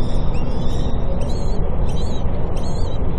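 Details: Common kestrel at a nest in a university building in Cairo, the female bringing food to newly hatched chicks; thin, high, wavering calls repeat faintly over a steady low rumble.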